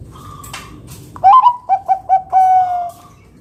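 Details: Perkutut, the zebra dove, of Bangkok type, singing to draw other doves into song: a soft distant whistle first, then a rising coo, three quick short notes and a sustained steady final coo.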